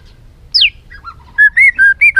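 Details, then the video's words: White-rumped shama giving a many-voiced song: a sharp falling whistle, then a run of clear level whistled notes alternating between two pitches, each about a quarter second long, with short gaps between them. "Kích Chòe lửa hót nhiều giọng, Căng lửa, chòe lửa đánh đuôi kích cực nhạy.luyện chòe lửa hót nhiều"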